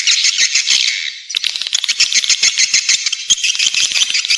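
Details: Nest-attracting swiftlet call: a brief smooth twitter at first, then a busy, rattling chatter of fast clicks and high chirps that runs to the end.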